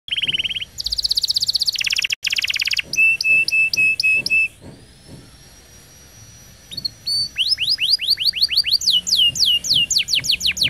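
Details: Canary song used for training young canaries: rapid trills, a buzzy rolled tour, repeated clear whistled notes, then a long series of quick downward-sweeping whistles, with a quiet pause mid-song.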